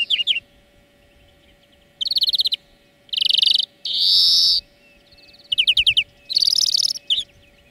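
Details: Greenfinch song-lesson recording with alternating rapid chirp trills and a long buzzy wheeze, phrases coming every second or so, ending in a loud trill and a short chirp.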